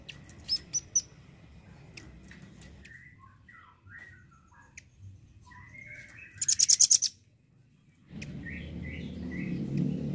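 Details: Red-billed velvet-fronted nuthatch, used to train songbirds, repeats short high ticks. Thin whistled phrases run lower in between, and a dense burst of about eight shrill notes comes before a rise in background noise.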